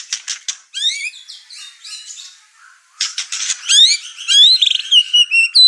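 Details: Over-excited white-rumped shama provoking other household birds: harsh clicking bursts, then rising and falling whistled phrases, and a quick run of sharp notes ending in high, slurred whistles.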